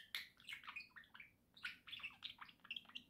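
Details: Domestic budgerigars chattering nonstop in their cage, a dense stream of whistled and buzzy chirps with almost no gaps between notes.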